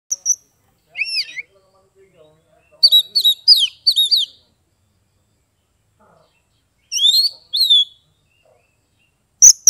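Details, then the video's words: Oriental magpie-robin (kacer), a caged bird, in Kebumen, Central Java, singing to prompt silent or reluctant birds to sing: short bursts of rich whistled phrases with sharp slurred and looping notes, separated by pauses, faint low murmurs beneath. "SUARA KACER NGEPLONG untuk terapi kacer bisu, malas bunyi, langsung respon dan gacor"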